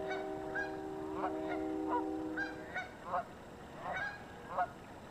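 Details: Several honks from a chatty goose flock on the Yakima River ring out, loud nasal calls roughly every half second to second, over steady held tones that stop partway through.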